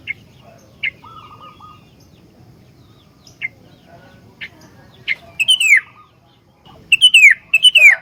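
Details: Sooty-headed bulbul kept as a master bird for training others: scattered short sharp notes at first, then loud fluty descending phrases delivered in quick succession over a low background hum.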